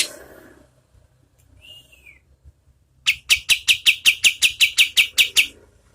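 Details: Oriental white-eye in lively medium-speed song as training material for contest birds: a faint slurred whistle, then a steady run of about twelve crisp, high chip notes at roughly three a second.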